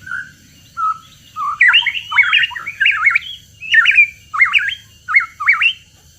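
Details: Hooded pitohui lure recording: two soft, low opening notes, then a fast series of hoarse, zigzagging squawks, rising and falling sharply, delivered in quick pairs across several seconds.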